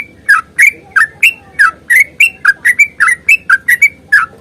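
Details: Rapid fighting song of a sooty-headed bulbul, long run style used to prompt birds into singing: a string of loud, short, liquid whistles repeated roughly three times a second with slightly varied pitch.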